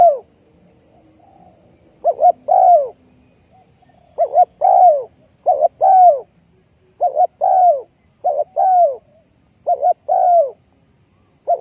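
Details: Ground-decoy spotted dove for trapping, 20.04.2020, repeating about eight cooing phrases at a brisk, uneven pace, each a short quavering double note leading into a drawn-out, downslurred coo in quiet surroundings.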